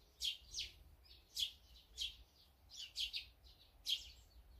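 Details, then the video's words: Birds eating together, including azure-winged magpies, sparrows, great tits and brown-eared bulbuls: loud, clear high chirps repeated about once a second, some in quick doubles, against a quiet background. "물까치,참새,박새,직박구리,먹방,새먹방, 새소리 힐링방송"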